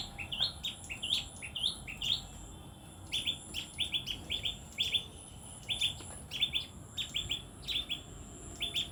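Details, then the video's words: Tailorbird giving loud, sharp, high chirps in quick runs of three to four notes, repeated every second or so, with a faint high insect hum underneath. "Orthotomus( tailor birds) : enjoy the sweet chirping sound of these birds"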